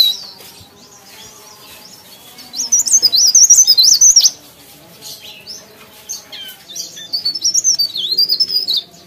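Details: Briskly singing leaf warbler (cikrak daun): a loud two-second burst of high, fluttering warbles, a pause, then a softer, longer run of quick twitters, low hum in the background.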